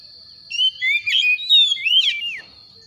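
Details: Morning White-rumped shama giving a run of clear whistled notes, some rising and some falling, with harsh buzzy bursts mixed in and a steady faint high tone behind.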